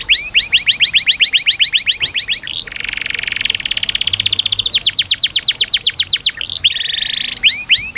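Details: Canary singing a training song meant to coax birds reluctant to sing and to teach young canaries. Rapid series of rising-falling whistled notes, then a dense buzzy roll, a fast trill and more swept notes, roughly four per second.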